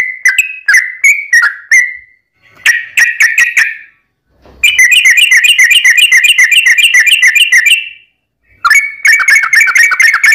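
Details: Yellow-vented bulbul fighting song for luring rival bulbuls to sing back. Quick whistled phrases, then a dense, buzzy, rapidly repeated chatter of several seconds, then more bright whistled notes after a brief gap.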